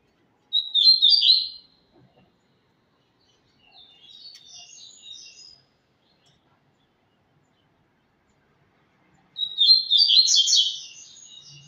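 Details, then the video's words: Double-collared seedeater, a tournament-style songbird, singing: a loud high twittering phrase near the start, a fainter rapid warbled passage after a pause, then another bright burst of fast chirps at the end; otherwise quiet. "Coleiro tui tui lindo"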